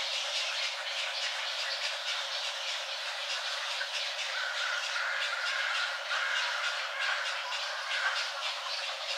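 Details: Snowy and Great Egrets at a breeding rookery in sycamore trees in Mountain View, California, during the 2015 breeding season, with courtship, feeding and sibling rivalry: harsh, raspy, overlapping squawks and croaks continuing throughout, several birds calling at once.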